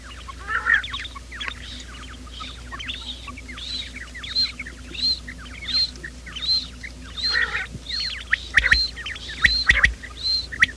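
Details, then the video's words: Quail calling in the morning, recorded as a trapping lure: short clipped notes repeated roughly every second, high chirps over busy lower chatter, ending in a few loud sharp clicks. "batair ki subbha keliey awaz 2025 , batair ki awaz , bater ka awaaz, quail sound"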